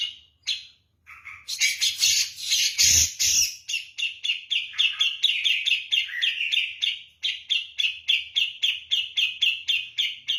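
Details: Energetic song of a Javan grey-cheeked bulbul, likened to kapas tembak: a brief noisy harsh outburst, then a long steady series of quick, sharp chirping notes repeated several times per second.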